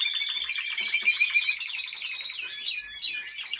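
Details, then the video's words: Timbrado Español canary in training, 2023, singing a dense, continuous song of rapid rolling trills and metallic, bell-like notes pitched high, with a brighter, faster run of chattering phrases near the end. "Timbrado Espanol Original . Im Training."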